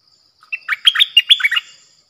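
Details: Bulbul kept as a decoy bird, 8 May 2021, sings a rapid phrase of about eight bubbly, slurred whistled notes that rise and fall, lasting just over a second against a thin steady high hum.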